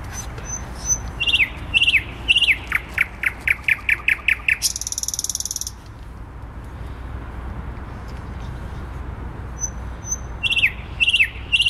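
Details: Common nightingale in song in Warsaw city centre, Poland, 12 May 2020: thin high whistles and sharp falling notes speed into a rapid repeated series, then a loud harsh churring trill, a pause, and the phrase restarting over low urban rumble.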